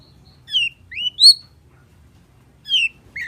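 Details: Sparse phrase from a long-tailed shrike singing in the full-fill style: a few clear, slurred whistles, some falling and one rising, separated by a long silent gap before two more whistled notes; otherwise quiet.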